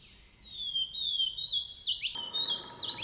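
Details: Swainson's thrush singing in the wild: high, thin, sliding whistled phrases that waver and dip, with a steady high tone running underneath and a quiet background.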